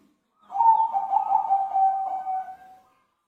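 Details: A single zebra dove phrase of soft, mellow, rolling coos lasting over two seconds, slightly wavering and fading at the end, against a quiet background.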